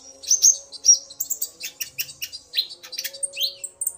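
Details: Excited male common iora provoked by a female's call, trading calls with her; a busy stream of thin, high chips and brief rising whistles, roughly two notes a second.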